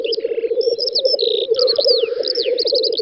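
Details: Black grouse lekking on a spring field, western Russia, 9–10 May 2019. Pulsing low burbling continues under hissing rushes and assorted sharp whistles and chirps of other birds.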